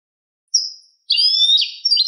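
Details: Goldfinch, European, singing clean song (cante limpio) for educating captive birds: a high whistled note, then a long buzzy twitter and the start of another phrase; no other sounds.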